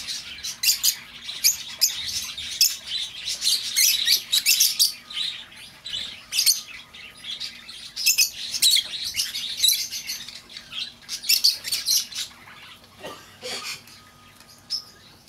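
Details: Lovebird calls used to lure back an escaped bird: dense, harsh, high chirps and squeaky notes in rapid bursts, with brief pauses between flurries.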